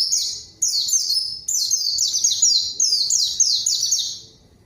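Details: Luring song of a white-eye meant to get a rival to answer: a continuous string of quick high descending slurs in three joined bursts, loud and clear.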